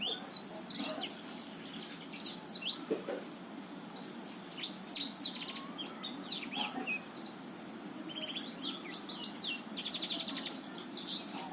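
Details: Black-throated canary, Botswana variety, singing continuously as a lure for a male that will not sing; lively high warbling of chirps, sharp slurred notes and a fast buzzy trill, in repeated bursts over low hum.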